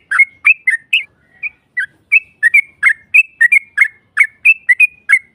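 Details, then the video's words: Lure recording of a yellow-vented bulbul for provoking a rival: quick, jaunty, whistled chirps in short groups, with a brief lull near the start before the pace picks up. "Pancingan trucuk NARUNG NEMBAK Ropel panjang BUAT Mancing EMOSI LAWAN PASTI nyaut Ngropel Seketika"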